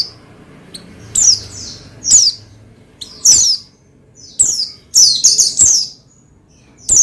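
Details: Oriental white-eye (pleci) song meant to stimulate another pleci to sing: thin, high descending chirps in irregular bursts, with a quick triple cluster of notes near the end and quiet gaps between.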